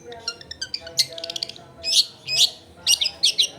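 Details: Long-tailed shrike in energetic song, used as a lure to get other shrikes singing: quick bursts of sharp, high chirps and scratchy trills in irregular clusters, with brief pauses between phrases.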